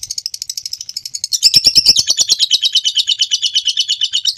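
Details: Lovebird giving a long ngekek trill used as a master recording for training birds: rapid high chattering pulses, sparse at first, then a dense rolling trill from about 1.4 seconds that runs steadily to the end.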